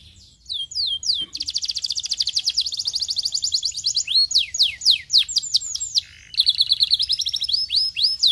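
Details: Canary song played to stimulate another canary to sing: long fast trills of rapid rising sweeps, rolled buzzy tours and sharp chirps, all bright and high, with a short pause before a final quick trill.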